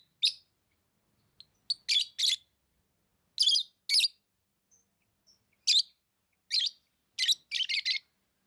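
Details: Tame lovebirds giving loud, harsh, high-pitched chirps, singly and in quick pairs, spaced irregularly over several seconds, ending in a fast run of four chirps; a quiet room behind them.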